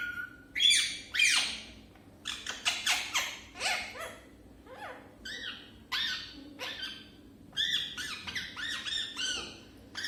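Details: A parrot just starting to talk gives a busy stream of raspy, chattering syllables with some downward-bending squawks, almost continuous for ten seconds in a quiet indoor setting.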